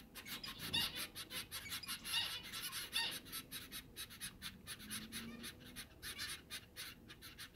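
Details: Week-old baby zebra finches, four growing chicks fed by both busy parents; dense harsh hissing bursts come in quick succession, swelling louder around the two-second mark, with a faint low hum underneath.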